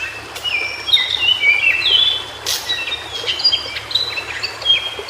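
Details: In natural habitat, a white-browed shortwing delivers a run of clear, high whistled notes stepping up and down in pitch, tumbling into a rapid jumbled warble, over faint background hiss.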